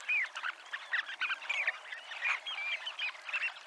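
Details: Short stretch of Dunlin flock chatter at Abruñeiras on the Ría de Noia, with quick trilled calls and a few clear whistled notes rising above the chorus.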